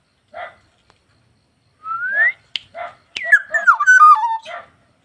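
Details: ['Black-naped oriole singing vigorously (gacor): a short nasal note, a clear rising whistle, a buzzy burst, then a liquid, fluty phrase that steps down through several slurred whistles. The surroundings are quiet.']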